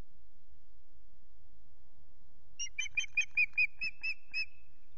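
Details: Unringed female osprey calling for her absent mate at Loch Garten; quiet at first, then nine shrill, piping whistles in quick, slightly uneven succession over the last two seconds.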